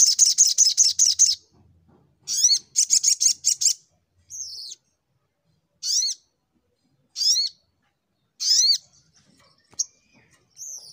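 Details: Little Spiderhunter (sogok ontong) in fighting mode, 'nembak' singing: bursts of rapid high repeated notes, then isolated sharp down-slurred chirps roughly every 1.3 seconds, with a few thin squeaky notes between.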